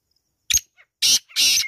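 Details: Black francolin (Kala Teetar): a short harsh note, then two loud, grating, broadband notes about a third of a second apart, in an otherwise quiet setting.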